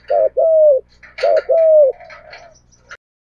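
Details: Spotted dove, male and female, calling for decoy-bird training: two paired phrases of a short coo then a longer falling one, overlaid by scattered chirps and twitters of other birds before it ends.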